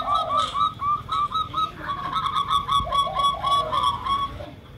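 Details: Local zebra dove, used as a lure, giving a long, fast run of rolling, whistled coo notes that speeds into a steady staccato series, while deeper cooing from a spotted dove sounds underneath.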